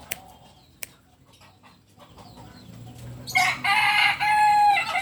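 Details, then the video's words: Biriang kuniang Kukuak Balenggek rooster, a native bird from Solok, West Sumatra, Indonesia. A few sharp clicks and quiet background come first. Then a loud, harmonic crow breaks in after about three seconds, running in several stepped, wavering syllables to the end. "Biriang kuniang Ayam kukuak balenggek asli Solok Sumbar"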